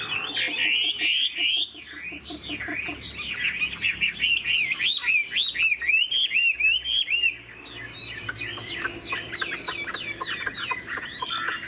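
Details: Pure-bred captive Chinese Hwamei sings with wing play and head-bobbing. Loud, rich whistled notes swoop up and down in quick succession, followed by a run of sharper, faster repeated chirps.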